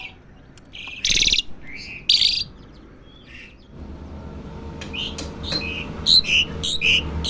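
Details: Young Asian pied starling learning to sing: loud harsh broadband bursts near the start, then a run of short whistled and chirped notes, several clear high whistles late in the sequence, over faint background hum.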